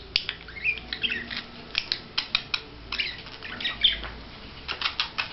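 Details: Budgerigar in courtship display giving scattered clicks, short chirps and a few scratchy squawks, spaced irregularly with quieter gaps between bursts.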